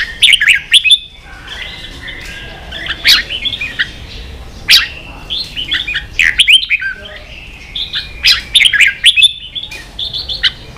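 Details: Fired-up red-whiskered bulbul, ché song style, for teaching young birds: long run of loud chirps and whistled slurs in repeated bursts broken by brief silences.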